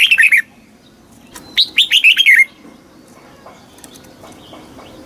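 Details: Thai red-whiskered bulbul in a southern master song style, used to stir caged birds and tutor youngsters. One phrase of about five bright whistled notes, with the tail of another at the start, then quiet.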